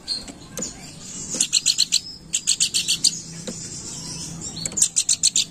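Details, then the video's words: Lure-call recording of a planduk bukit chattering steadily: three short runs of quick, high, clipped chirps separated by brief pauses, with faint low background hum. "Burung Planduk Bukit Gacor Crewet"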